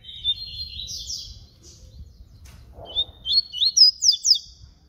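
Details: A papa-capim baiano sings flute-type song, a smooth high whistled opening and then a rapid run of about five sharp slurred notes, with a brief low sound in between.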